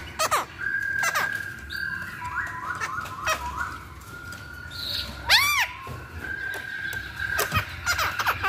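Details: Chinese hwamei song used as a lure for other birds; loud clear whistled notes, including a series of rising slurred phrases and a sharp arched note, mixed with scattered clicks and chips.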